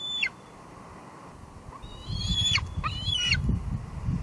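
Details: A juvenile bald eagle at a nest at Two Harbors in July 2022, recorded by a live nest camera, meeting an adult male and expecting food. Thin, high, whistled notes rise and fall in short bursts over a low rushing wind-like background.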